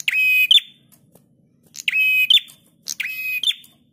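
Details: A prinia sings on a cage-bird training master, giving three loud, rasping phrases. Each steady buzz finishes with a sharp accented note, and the bursts are separated by quiet pauses of more than a second.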